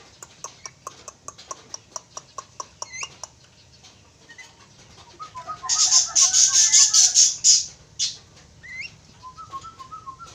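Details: A pair of Javan mynas calling: a run of sharp clicking notes about every quarter second, then a loud harsh buzzy burst with lower chattering notes, followed by scattered whistled and chattered notes.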